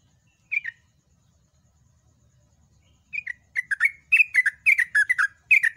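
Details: Trucukan or yellow-vented bulbul giving a loud, extended song: one bubbly note, a pause, then a rapid series of liquid, warbling notes rising and falling in quick succession to the end.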